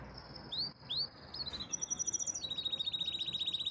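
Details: Canary song opening with a few upward-slurred whistled notes and a high held tone, then breaking into a fast, steady rolling trill.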